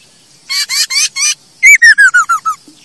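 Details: ['Masked laughingthrush song for luring and tutoring captive birds: four harsh, buzzy, rasping notes, then a quick descending series of six clear whistled notes that step lower each time.']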